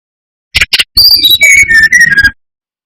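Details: Brown-chested jungle flycatcher song meant to provoke others of its kind: two short buzzy notes, then a high whistle stepping down through several connected, gradually lower whistles in a smooth descending run.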